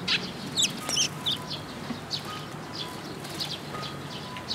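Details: Young Eurasian tree sparrows coming to a post top to be fed at a shrine, recorded 1 June 2022: sharp high chirps in quick irregular bursts, several birds calling, with a faint steady hum beneath.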